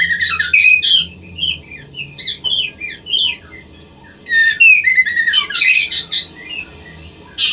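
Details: Female white-rumped shama singing to excite a male for breeding; bright whistled phrases and quick twittering runs in two main bursts separated by quieter scattered notes, low hum beneath.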